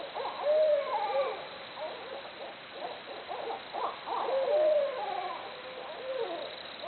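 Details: Barred owls making jungle noises: two smooth, arched hooting notes about four seconds apart, surrounded by choppy, cackling hoots from more than one bird.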